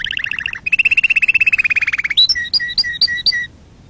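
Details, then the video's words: Canary song meant to excite other birds and teach chicks to sing: a fast buzzy trill, then a long rapid series of bright repeated notes, ending in five evenly spaced two-part whistled chirps. "صوت تغريد عصفور الكناري لتهييج طيورك وتعليم الفراخ"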